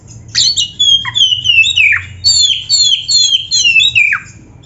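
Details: Singing kacer, or oriental magpie-robin, recorded as a master song for training: loud repeated phrases of clear descending whistles sweeping downward, delivered in steady bursts about every half second.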